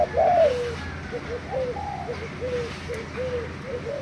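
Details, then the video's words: Spotted dove decoy from Thailand, 3 March 2018; a loud opening coo followed by quieter, repeated hollow cooing notes fading into background hum. "Cu gáy mồi thailand"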